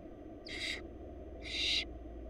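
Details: Barn owl chicks begging as their mother feeds them in a wild Florida nest box; two rasping, breathy hiss-screeches about one second apart, steady low background hum.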